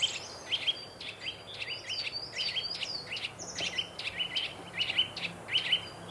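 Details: Eurasian Nuthatch alarm calls near its nest in an old woodpecker hole in Welsh woodland near Harlech: sharp, high notes in quick bursts, three or four a second, over light hiss, as the pair drives off an approaching woodpecker.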